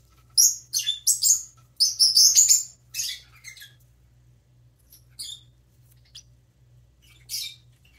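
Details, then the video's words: Baby parrotlet chirping while preening: rapid bursts of high, squeaky chirps tumbling together early on, then fewer scattered peeps and a final bright chirp, over a soft low hum. "baby parrotlet preening and chirping"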